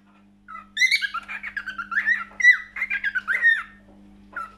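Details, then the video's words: Cockatiel singing indoors: a busy, squeaky warble of short chirps and whistled slurs, packed densely for about four seconds, ending with one more brief chirp. "Best Cockatiel singing"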